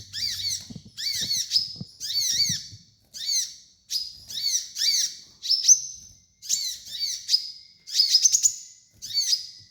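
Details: Kolibri ninja sunbird song used for training other birds: repeated high, sharp two-part chirps with falling tails, some running into a thin sustained whistle, given in clusters with short pauses, over a nearly quiet background.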